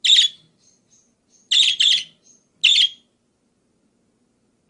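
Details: Budgerigar (parkit) recorded as a song tutor for other birds: rasping chirps, including a quick doubled pair, with short faint squeaks between and a final chirp cut off at the end.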